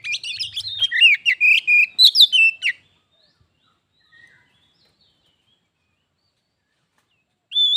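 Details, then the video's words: Pet Oriental magpie-robin confronted by a wild one in a song contest: a fast burst of sweet whistles and sharp trills lasting under three seconds, then silence, and a new whistled phrase begins at the end. "Kacer _adu suara sampai jadi bertarung/fight"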